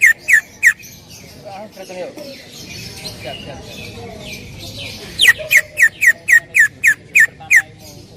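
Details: Greater green leafbird (cucak ijo), singing actively in a loud 'tembakan' shot style, used to train other birds; three sharp notes near the start, a quiet murmuring stretch, then a run of eight loud, clipped, downslurred whistles spaced evenly.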